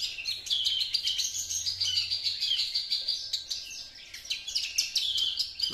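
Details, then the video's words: A two-month-old juvenile Javan Horsfield's bush lark sings a continuous, high, twittering and chattering song of rapid mixed notes, over a faint low hum, already imitating master song learned from other bush larks. "branjangan java usia 2 bln sudah mulai membawakan materi masteran nya"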